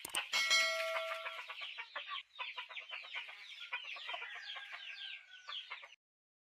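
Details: Chickens: a loud harsh squawk opens, followed by a steady stream of quick, rising clucks and chirps.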